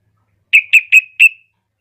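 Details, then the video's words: Female yellow-vented bulbul calling to a male with four evenly spaced, bright chirping notes, each with a short trailing tail, delivered within about a second in clean silence. "Pancingan Trucukan Betina Memanggil Jantan"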